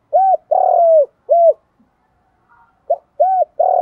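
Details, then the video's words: Morning cooing of a spotted dove with the 'giọng đồng' style voice, calling to lure other doves: low arched coos, the second long and sliding down, then after a pause the phrase starts again. "Chim cu gáy giọng đồng gáy gọi bổi buổi sáng"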